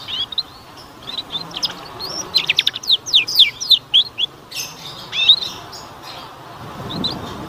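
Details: Lure song for young canaries, meant to get them singing: scattered high chirps build into a quick series of sharp downslurred notes around the middle, then fade to a few soft calls.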